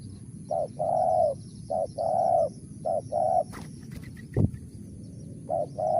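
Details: Spotted dove calling in a crisp style known locally as mersik; low hollow coos in short-then-long pairs, repeated four times, with a sharp click midway and faint background hiss.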